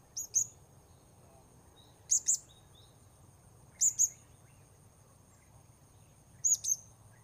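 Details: At Port Baru, during an attempt to lure wild birds, a Blue-crowned hanging parrot utters paired shrill high notes, two quick tsit sounds every couple of seconds, with a faint constant high whine underneath.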